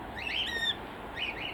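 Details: Aviary cockatiels on a foggy morning give harsh, rising squawks with a burst of chirps between them; one bird's squawking winds the others up.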